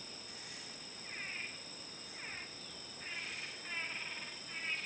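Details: Two male Blue-backed Manakins dancing a courtship display for a female give harsh, nasal, buzzy notes roughly once a second, over a steady high-pitched insect drone.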